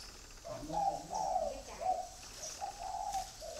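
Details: Red-eyed, grey-legged spotted dove kept at a dove farm in Ba Vì, Hanoi, Vietnam, in the 'thổ' singing style: a soft sequence of low mellow coos, several short notes strung together over three seconds, with faint background hiss.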